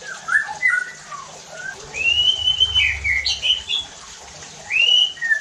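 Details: White-rumped shama song intended to trigger harsh singing in other shamas: slurred whistles, a long rising whistle, then a bright high twittering burst and a final upswept whistle.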